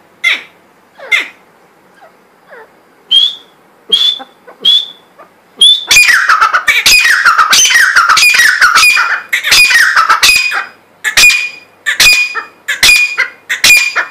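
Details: Grey francolin (gora teetar) in Pakistan: several separate squawky notes first, then a dense, loud rush of harsh, piercing repeated calls, easing back to spaced notes near the end.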